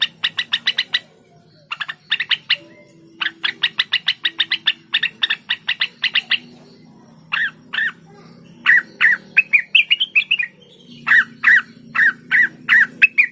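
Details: Blue-winged leafbird (cucak wilis) song mixing fast bursts of sharp clicking notes with pauses. It then shifts to squawky, slurred notes and a rising warble, ending with steady repeated downslurred calls.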